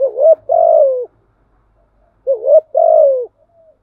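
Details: Thổ-style spotted dove lure for wild doves: two low phrases, each a quick upward hoot then a longer falling coo, separated by about a second of quiet with faint soft murmurs.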